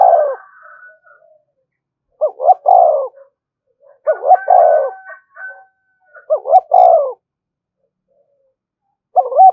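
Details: Spotted dove call used to provoke other doves: clean, low, hollow cooing phrases of two or three notes, repeated in bursts about every two seconds with silent gaps.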